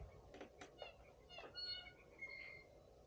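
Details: Three blue jays with a flock of birds on a spring Sunday morning; blue jay giving harsh, nasal calls, a few short rasps then a longer ringing note, among other birds' brief chips and a faint background hum.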